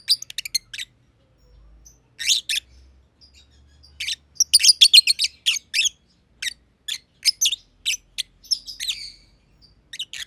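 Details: Green personata and green pied personata lovebirds playing together in an aviary. High, harsh chirps come in irregular flurries, about three or four a second, with short quiet stretches between runs.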